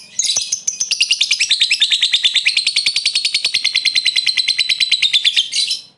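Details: Lovebird singing the long ngekek trill, used to provoke rivals into answering: a dense, rapid chattering trill of about five seconds, steady and high-pitched, with evenly pulsed notes throughout.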